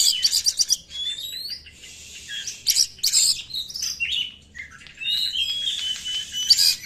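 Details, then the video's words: Lure song of an Oriental magpie-robin, meant to fire up caged birds and attract wild ones: rapid high chattering notes, upward-sweeping whistles and scratchy bursts in a lively, varied, continuous sequence. "PANCINGAN SUARA BURUNG KACER | KURANG EMOSI | SUARA KACER KONSLET!!!"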